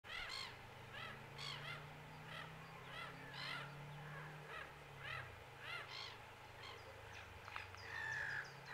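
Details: Black-headed gull giving repeated harsh, nasal calls with a rising-falling shape, roughly one every second, over a steady low engine-like hum.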